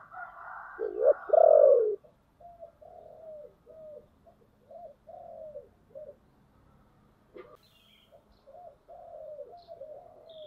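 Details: Decoy spotted dove calling in the thick 'thổ' voice style to draw in wild doves: a loud throaty coo opens, then a steady run of short low coos about every half second.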